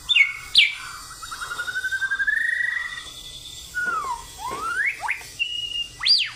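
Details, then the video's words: Varied white-rumped shama song: sharp high whistles, then a long rapid series of pulsed notes rising slowly in pitch, followed by falling and rising slurred whistles, a steady held tone and a final upswept note. "MURAI GACOR GAYA JOSSS"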